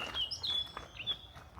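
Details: A Eurasian blackcap singing in spring woodland near Blashford Lakes, Hampshire, gives a brief, bright warble of quick high whistled notes, some sliding, over a faint low hum.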